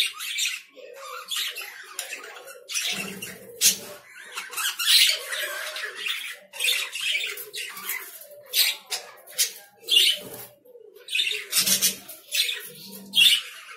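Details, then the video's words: Lovebirds keep up a busy, continuous stream of sharp, high squawks and chirps, irregular and overlapping throughout. "Love birds sounds"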